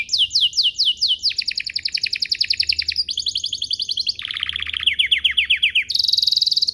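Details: Canary song used as a lure to prompt other canaries to sing: rapid trills of repeated notes in distinct tours, high sweeping syllables giving way to lower buzzy rolls, then a bright steady trill.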